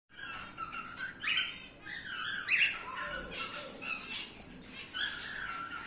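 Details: A male emerald split cockatiel sings a rambling run of chirps, warbles and squawky notes, high and harsh, with a few brief rising whistles, indoors.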